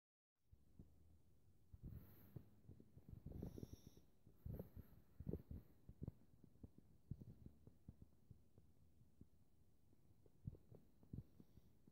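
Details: Only low thuds and muffled rumbling, like wind or handling noise, are heard, with no clear animal calls.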